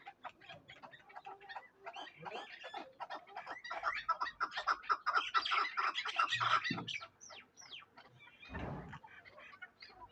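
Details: Darvaz chukar partridge, a tethered hunting decoy bird in Tojikobod district, Tajikistan; a dense run of rapid, harsh chattering notes builds in loudness for about seven seconds and then fades, with a low thump near the end.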